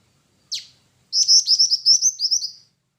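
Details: Jingjing batu song: one sharp high chip, a short pause, then a quick string of about ten bright, trilling chirps at high pitch, fading at the end; faint low knocks behind.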